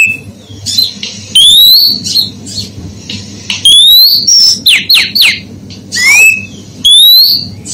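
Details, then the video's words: Female oriental magpie-robin calling to agitate males: loud, bright whistled notes in short bursts, mostly sharp rising slurs with some quick falling sweeps, separated by brief pauses, over a steady low background hum. "Siulan maut Kacer betina"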